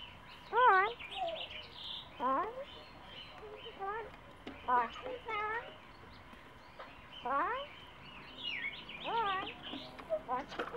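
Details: A young domestic-raised pair of corellas, described as slender-billed corellas, hang at their nest in Palos Verdes, California, giving wavering squawks in bursts about every two seconds, rising and falling in pitch, over a low hum.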